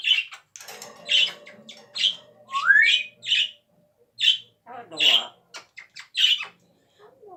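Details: Pet parrot indoors making coughing sounds: short, harsh, noisy bursts repeated about every second, with one rising squeaky note in the middle and a faint low hum underneath.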